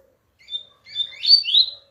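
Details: A double-collared seedeater sings two clear whistled notes, then a rich, buzzy, twittering flourish that sweeps up and down, heard over a quiet background.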